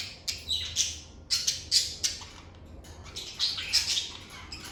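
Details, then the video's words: Lovebirds kept as pets in a calm indoor setting, giving harsh, broadband chirps and squawks in quick irregular bursts, several per second, with a faint low hum beneath. "Lovebird Singing & Chirping Sounds"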